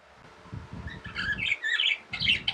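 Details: Pet budgies, tame birds, start quiet, then break into a short flurry of squeaky, whistled chatter over repeated low rumbling thumps.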